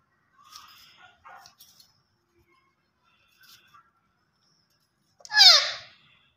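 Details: Faint chattering notes from a green ringneck parrot, then one loud, harsh, descending call with rich overtones near the end; otherwise quiet.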